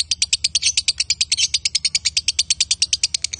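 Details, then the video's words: Rapid, machine-like chattering from a male and female lovebird: sharp high pulses repeated about eight times a second, evenly spaced, with no other sounds. "Love Bird Jantan & Betina suaranya Bagussss"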